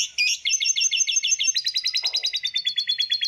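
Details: High songbird trill for masteran training, tembakan style: a steady stream of quick repeated notes, roughly three per second, sustained throughout with a brief low rasp midway.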